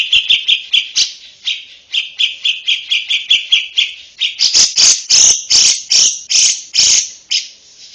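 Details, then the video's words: Lovebird singing as a model for young birds: a steady series of short, repeated chirps, shifting into louder, harsher, longer notes in the second half. "BEGINILAH KICAU LOVEBIRD HARGA SUPER MAHAL, MASTERAN UNTUK LOVEBIRD BAKALAN"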